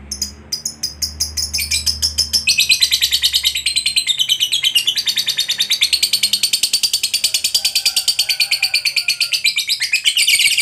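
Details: Lovebird fighter in a long ngekek chatter used to provoke other lovebirds into singing: a fast, unbroken stream of high, buzzy rattling notes running for over ten seconds, with a faint low hum early on.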